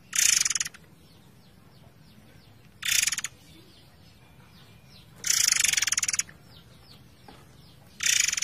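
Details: Forktail singing over flowing water: four loud, dense rattling bursts, some brief and some nearly a second long, separated by pauses of two to three seconds. Faint thin chirps of other birds sound in between.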